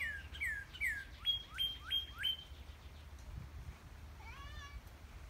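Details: Northern cardinal (Cardinalis cardinalis) singing at Easter 2020: two clear downslurred whistles, then four quick rising whistles about three per second, a short nasal call after, over a low steady hum.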